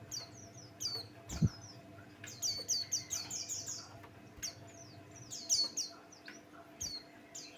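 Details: Song of a Buxtoni white-eye used to provoke other birds: long lively stretches of high descending twitters and chirps, densest in the middle, with a low hum and one dull knock near the start.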